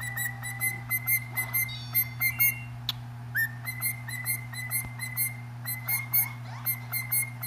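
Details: A pet cockatiel singing: a series of short, clear whistled notes near one pitch, many rising at the start, repeated quickly in uneven bursts over a steady low electrical hum.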